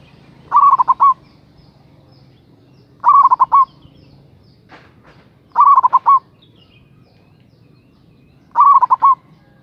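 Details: Local zebra dove calling with a strong voice to draw in rivals. Four rhythmic phrases of quick stuttering coos repeat about every two and a half seconds; a brief click sounds in one gap.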